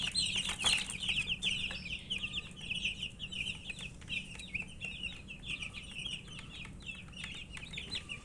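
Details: Chicken chicks, called murgi, cheeping as they eat: many high, short peeps packed tightly, loudest at the start then steady, mixed with light clicking pecks and a constant low background hum.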